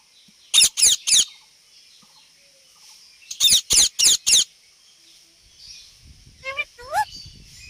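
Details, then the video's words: Parrot making sounds, giving two bursts of harsh, buzzy squawks, three then four in quick succession, and ending with two short rising whistled notes. "parrot talking and making sounds"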